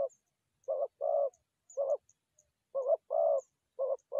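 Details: Dove coos for trapping forest doves, short low notes paired with longer ones in separated bursts, with tiny high chirps faintly audible.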